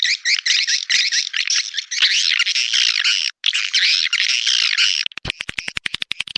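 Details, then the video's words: Swiftlet calling recording, "clop tanjung" style, meant for swiftlet farmers: thick high twittering in rolling, curved chirp phrases, ending in a fast run of sharp, evenly spaced clicks. "Suara panggil burung walet clop tanjung original"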